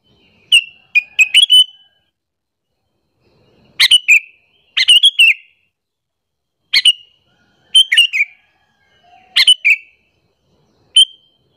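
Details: Sooty-headed bulbul calling, a lure call used to attract other bulbuls and provoke them to anger; short bright chirping phrases around a few notes, delivered in clusters roughly every one to two seconds against a quiet background.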